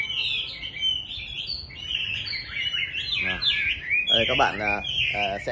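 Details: Captive Chinese hwamei kept at home in morning song, a dense run of quick whistled and slurred notes, joined in the second half by lower, buzzy harmonic-rich calls bursting in several times.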